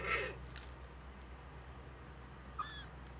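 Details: Eurasian eagle-owl owlet on a nest camera in northern Rhineland-Palatinate, Germany, 15 May 2013, meeting another owl for the first time; a brief harsh, hissing rasp opens the clip, followed by quiet background and a faint click.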